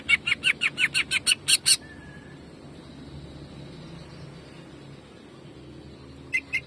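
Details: Greater green leafbird singing in the rapid 'jamtrok' style of bursting notes, used as training song for other leafbirds: about nine sharp, bright notes fired in under two seconds, a long quiet gap with faint hiss, then two more notes at the end.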